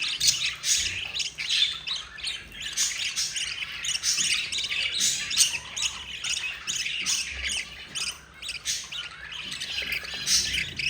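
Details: Yellow mother budgerigar feeding her four babies: continuous scratchy, squawking chatter of begging chicks, overlapping harsh bursts repeated rapidly for the whole stretch with brief dips in intensity.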